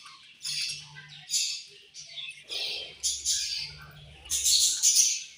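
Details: Pet budgerigars chirping angrily during a meal, separate harsh squawky bursts roughly every second, loudest near the end, with a soft low rumble and some rustling underneath.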